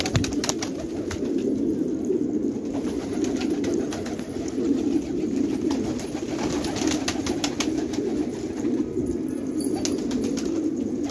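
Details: Long stretch of massed cooing from fighting tumbler pigeons in Khanabad, Afghanistan; deep overlapping coos run throughout beneath many short clicks and taps.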